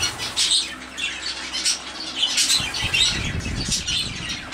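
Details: Zebra finches in warm weather give short, nasal, high-pitched calls repeated in quick bursts.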